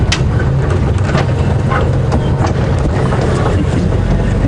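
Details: A safari vehicle drives through Djuma Game Reserve on a morning in November 2015, with a steady low engine rumble, wind buffeting the microphone, and scattered knocks and rattles.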